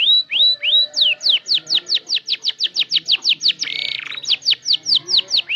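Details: Canary at the learning stage, arranging its song: three rising whistles open a fast train of falling high notes, broken by a brief buzzy rattle before the sweeps resume.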